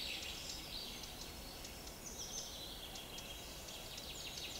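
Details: A Eurasian wren recorded in Niezgoda, Poland, on 25 June 2022 pours out a rapid, high, tumbling song of bright notes and trills, slightly distant against a steady background hiss.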